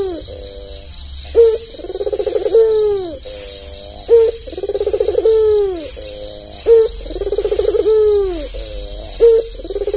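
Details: Tame albino white dove with red eyes, used as a lure for lazy doves: rhythmic cooing phrases about every two and a half seconds, each a sharp accented note, a rolling trill and a long falling coo, under a constant high insect drone.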